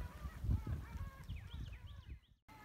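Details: A flock of Long-tailed Ducks on the Niagara River at Stella Niagara Nature Preserve, Western New York, in March 2020, during spring migration north, calls together with nasal, yodeling notes over a low rumble of wind and water.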